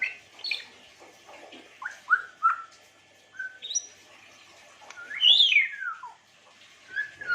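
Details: Varied chirps and whistles from an African grey parrot: short slurred notes at different pitches, a loud high swooping note that falls away, then softer whistles, over a slightly noisy background.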